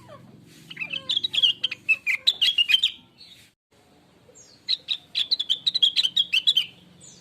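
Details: Blue-winged leafbird song used as a natural training lure to make other birds sing: two bursts of rapid chattering, warbled notes with quick slurred whistles, separated by a short pause, over a faint low hum.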